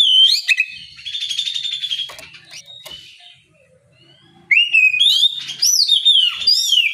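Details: Oriental magpie-robin singing in the ngeplong style in the morning to provoke rivals into answering: loud whistled, warbling phrases with rapid trills, a near-silent pause of about a second and a half, then another bright sweeping, slurred burst.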